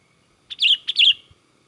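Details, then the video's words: Agitated sooty-headed bulbul song, used to lure and trap other bulbuls: a crisp two-part outburst of sharp clipped notes running into rich, slurred warbles, repeated once in quick succession, with very clean background. "Suara Burung kutilang gacor emosi ini tercepat untuk pancingan kutilang ribut&pikat kutilang gacor"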